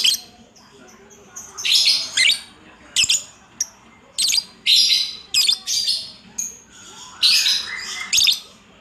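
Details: Lovebird in 'ngacor' singing: an uneven sequence of raspy, high bursts mixed with sharp, clicking notes, some short and some drawn out.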